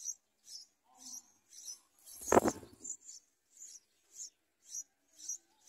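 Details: Yellow bulbul babies in the nest as a parent brings food; thin high chirps repeated about every half second in a steady rhythm, broken by one loud dull knock partway through.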